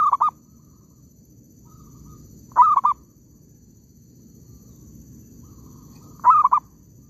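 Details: Oil palm plantation trapping session with a zebra dove calling: a phrase cut off at the start, then two full stuttered coos of three or four soft notes each, spaced about three and a half seconds apart.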